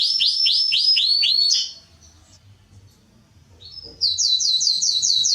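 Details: Canary singing for training young birds: ringing upslurred whistles in a quick series, a pause of near silence, then a new run of bright repeated notes.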